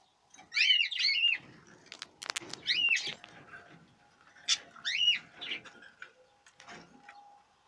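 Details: Budgerigars during the 2017 breeding season: bursts of scratchy, rising-and-falling chirps repeated a few times, with clicks and rustling between them.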